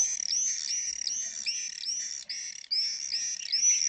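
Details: Common swifts at a colony in Spiez give shrill, high, buzzy screams in a near-continuous chorus of overlapping arched notes, several a second, with no other sounds.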